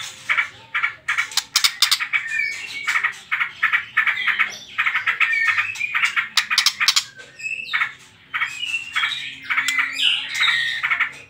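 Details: White-rumped shama delivering trotol-style song meant to spur other birds to sing, with dense chattering chips and scattered whistled notes in an unbroken flow.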